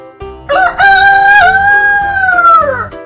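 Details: Rooster crowing one full cock-a-doodle-doo: two short opening notes, then a long, drawn-out note that slowly falls at the end, set against light background music.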